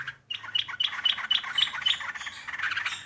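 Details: Yellow-vented bulbul recorded as a lure sound, giving a quick run of bright, bubbly chirps with short clear whistled accents, about four notes a second, over faint background chatter.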